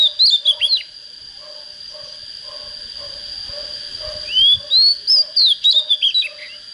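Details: Young Oriental magpie-robin starting to come into breeding condition sings two phrases of rising and tumbling whistles, while a lower call repeats about twice a second in the background and a high whine hangs steady.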